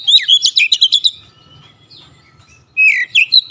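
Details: Oriental magpie-robin singing two bursts of rapid, sharp chirps and whistles, about a second each, separated by a quiet gap with faint low hum.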